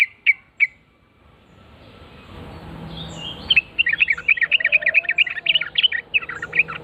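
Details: Trucukan, Sooty-headed Bulbul, singing keenly in reply to a played lure call: a few separate sharp notes open, then after a pause a dense, lively run of chattering, bubbling phrases continuing to the end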